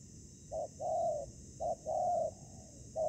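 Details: Decoy spotted dove used in ground trapping, where it meets combative wild birds. Soft hollow coos alternate short and long, a clipped note followed by a sustained one, repeated steadily against a quiet rural background with a faint high hiss.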